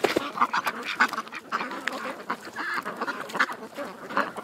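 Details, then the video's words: Ducks gathered at a creek, a dense flock giving overlapping quacks and nasal calls that pile up continuously with no clear pauses, several louder individual quacks standing out above the constant background chatter. "Ducks At The Creek"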